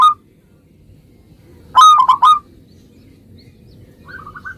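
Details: Local zebra dove singing briskly, a song that gets other zebra doves to answer at once: one clipped note, a long quiet stretch, then a loud burst of three or four rapid stuttering coos and faint notes after.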